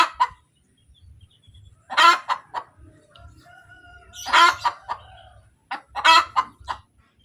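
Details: After laying an egg, a hen cackles: loud raspy squawks with short trailing clucks repeat every two seconds, and a thin whistle-like tone is heard between them.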